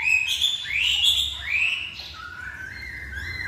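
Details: Masked laughingthrush giving three bright rising whistles in quick succession, trailing into softer, lower steady tones.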